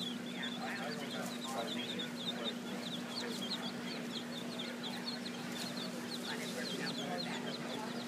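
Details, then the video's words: Chicks with their mother hen in Key West: a continuous chorus of thin, high peeping notes from several young birds, set against constant low humming and outdoor bustle. "Mom and Kids"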